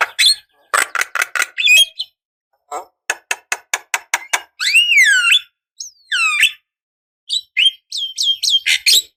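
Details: Female Javan myna calling a male, used as a decoy: rapid trains of sharp clicks, then loud slurred whistles bending downward and a run of quick high whistled notes.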